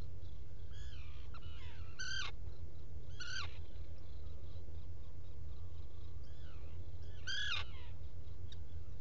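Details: Burrow camera on Seal Island NWR, Maine, 07-05-2018, morning: a Black guillemot in its nesting burrow utters several sharp, buzzy harmonic calls in bursts a second or two apart, with a few fainter notes between and a steady low rumble.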